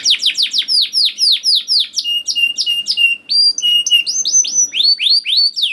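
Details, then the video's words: Canary song used to lure young canaries into singing: fast series of falling chirps repeated several per second, then level whistled notes and rising upswept phrases, all high-pitched, no other sounds. "KENARI GACOR DOR NGEDUR NGOTOT CUIT CUIT NGEROL AMPUH PANCINGAN KENARI PAUD"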